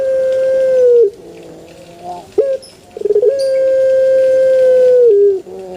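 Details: Male Barbary dove: a sustained flat coo ending in a dip, a pause with quiet murmuring notes and a rapid rolling burst, then another long level coo that falls at the end.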